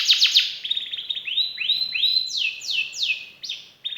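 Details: Canary song with varied phrases: quick high chips, then rising upswept whistles, then descending swept notes repeated about three times a second, ending with a short fresh phrase.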